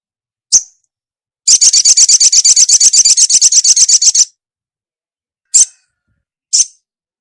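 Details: Female ruby-cheeked sunbird calling the male: a single sharp chip, then a steady rapid trill of about thirty identical high notes lasting near three seconds, followed by two more isolated chips.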